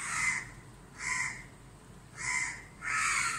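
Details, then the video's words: Mobbing crows circle a sunlight-blinded barn owl in Dhaka, Bangladesh, calling without pecking it; four loud, harsh caws come in pairs, each roughly a third of a second, with short quiet gaps between. "even though the crows were cawing around"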